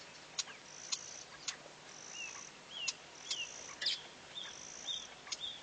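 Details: Bee-eater at Pete's Pond on 5 December giving short, liquid chirps that slur downward, about twice a second, with sharp clicks and thin high tones in the background.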